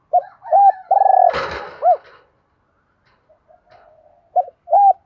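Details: Spotted dove cooing to call wild doves in quickly, mixed-voice style, two-ending song. Short arched hooting notes and a buzzy coo, broken by a brief loud rustling knock, then soft murmurs and two more arched notes.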